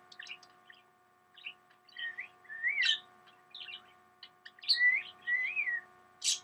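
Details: A male pet cockatiel whistles in clear, sliding notes mixed with quick chirps, over a steady electrical hum.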